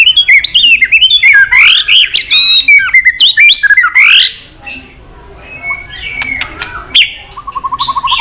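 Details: White-rumped shama delivering a long, varied song to provoke fighting: a rich, rapid jumble of whistles, slurs and squeaky notes for four seconds, then scattered clicks, a pause and a short low trill.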